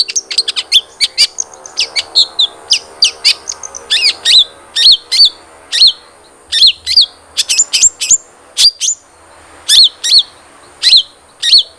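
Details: Caged cendet trotol, the long-tailed shrike, played to coax another bird to sing: quick runs of sharp, clipped high notes, then spaced, ringing whistled chips repeated about twice per second, with a faint steady background hum.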